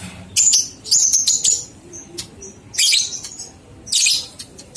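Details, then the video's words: A lovebird's ngekek chatter, recorded as training material to get two-month-old young birds singing. Rapid scratchy high-pitched bursts form four groups, with a few thin clicks between them. "Masteran Lovebird Paud 123 Ketukan Terbukti Ampuh Merangsang balibu 2 bulan Ikut Ngekek"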